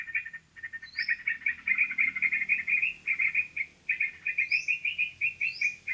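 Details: Trapping lure of sooty-headed bulbul, a dense bubbling chatter of fast chirps with a few high upslurred whistles, over a steady low rumble.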